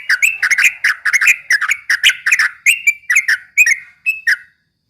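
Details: Rapid 'ropel' chattering of a yellow-vented bulbul, used to rouse rival birds; dense, overlapping bright notes tumbling together, slowing toward the end and stopping.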